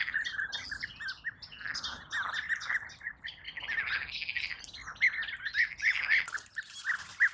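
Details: European bee-eaters calling in a busy flock, short purring trilled notes repeated rapidly and overlapping throughout, a few clearer ringing notes standing out near the end.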